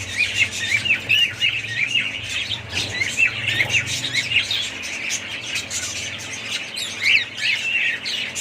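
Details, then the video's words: Budgerigars chirping and chattering together, a dense mass of high warbling notes and squawks running without pause, over a low steady hum. "ali family budgies parrots"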